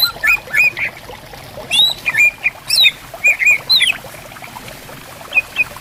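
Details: Greater green leafbirds responding to one another in riverside bamboo forest: bursts of clear whistled glides and sharp two-note chirps, a busy flurry then a quiet gap before a final short phrase, over softly flowing water.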